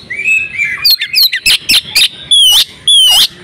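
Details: Call of a breeding-condition female oriental magpie-robin, meant to set males singing: a low whistled slur, then quick sharp clicks and two long, wavering, buzzy upslurred whistles.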